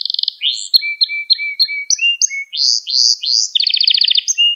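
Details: Canary song used to teach young canaries: opening rapid trill, low flat whistled notes under higher short tones, a run of rising swoops, then a rich pulsed trill and a final short note.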